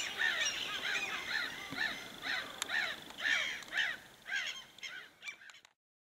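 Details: Common raven in Finnish wilderness at Suomussalmi, heard from a bear-watching hide during an evening and night, gives harsh, throaty, croaking caws about two per second, fading out near the end.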